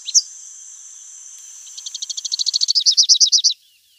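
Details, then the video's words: Against a steady, high, whining hum, a Rufous-capped warbler begins soft chips that speed up and grow louder into a rapid, bright, rolling series of looped notes before stopping abruptly. "O canto do Pula pula de capuz vermelho"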